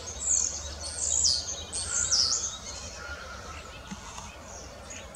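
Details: Common starling singing: high, thin whistles that slur down and then swing back up, given in quick bursts over the first half, then fainter chirps against a steady low rumble of background noise.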